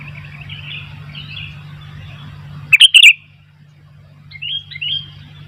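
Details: Sooty-headed bulbul in full song, wild bulbuls answering: soft warbled notes, then a loud, sharp burst of chirps mid-way, followed by a few quieter slurred whistles, with a constant low hum beneath.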